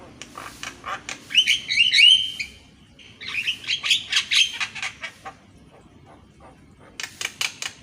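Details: Javan myna singing in the morning, used to coax silent mynas into song: whistled slurs and harsh chatter in two bursts, then a pause and more rasping notes.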